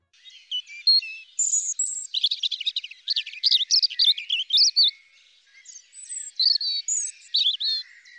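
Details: Garden European Robin, active and one of the few birds still singing in winter, delivering a light, liquid improvised song: quick high-pitched twittering phrases and sweet thin whistles in irregular runs, nothing else audible.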